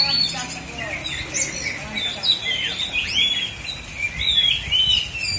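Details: Oriental magpie-robin (kacer), black-and-white type, in a bird singing contest in South Aceh, Indonesia: dense, varied whistled phrases with sweeping up-and-down notes and quick chirps, overlapping with other birds' song and faint human voices.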